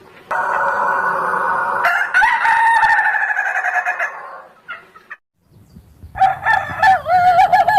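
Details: Ayam Ketawa rooster giving long, sustained, nasal crowing notes lasting several seconds with a buzzy rapid flutter, then a brief pause and a wavering, rising and falling crow.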